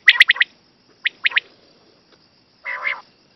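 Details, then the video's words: Common quail used for hunting, described as a deep-voiced bird suited to night use, giving sharp, liquid three-note phrases in quick succession, then a lower, nasal, buzzy note; a couple of clicks at the start. "Quail sounds for hunting"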